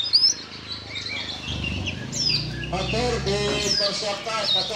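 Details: Kacer, the Oriental magpie-robin, in harsh rousing song: thin high upslurred whistles over a dense, rattling chatter of lower stacked notes that swells midway and continues to the end.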